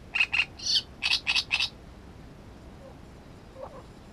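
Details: Great reed warbler pouring out a rapid run of six or seven loud, rasping, grating notes, then falling silent with only faint sounds afterward.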